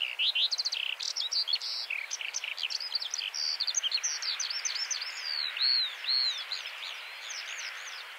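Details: Eurasian skylark delivering its trilling territorial song: dense high chirps and rattled trills at first, then looping whistled slurs that gradually grow softer.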